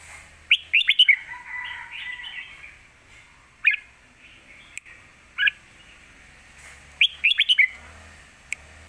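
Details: Red-whiskered bulbul singing a bold lak wai song, used as a master song to teach young birds: quick rising whistled flourishes, a soft warble, single chirps, then another rapid bubbling flourish, with sharp clicks.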